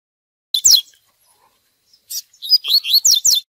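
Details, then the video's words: Spirited double-collared seedeater singing the "tui tui" song style used for training: a lone sharp note, a pause, then a fast run of bright descending slurred whistles, each sweeping down from high to mid pitch. "COLEIRO TUI TUI FOGOSO MUITO BOM PARA O MANEJO!!!"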